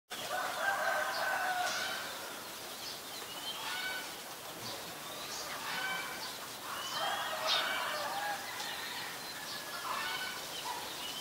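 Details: Common myna in Ubon Ratchathani, Thailand, recorded on May 7, 2022 with a Nikon P1000: a busy run of varied harsh notes, short whistles and chattering phrases, repeated irregularly over steady background hiss.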